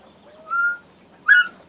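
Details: Northern bobwhite giving its call: a soft low note, a longer clear whistle a step higher, then a loud, abrupt, rising whistled note, on a quiet background.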